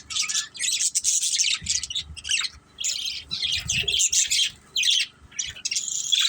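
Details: A family of budgies playing together, giving dense bursts of high, scratchy chirps and squawky chatter that stop and start with short silent gaps between them.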